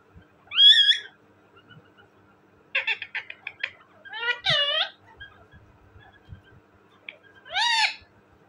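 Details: Talking parrot kept as a pet, mixing speech-like chatter with several wavering, arched squawks and a final loud bent whistle, separated by short pauses in a quiet indoor room.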